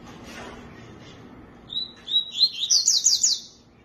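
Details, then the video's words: Tui-tui song: a short rising series of bright, whistled notes that climb in pitch and speed up into a quick trill over about two seconds, after a quiet start with faint background hiss. "CANTO TUI TUI"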